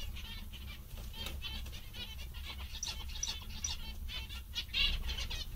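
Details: Zebra finches, described as amusing and content, give busy nasal chatter in short repeated bursts that grows louder toward the end, over low background noise.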